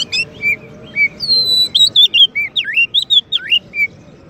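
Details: Champion Oriental magpie-robin, its song a master for training and provoking white-rumped shamas: short whistles early, then a long steady high whistle into a lively run of looping, dipping slurs, roughly two or three notes per second.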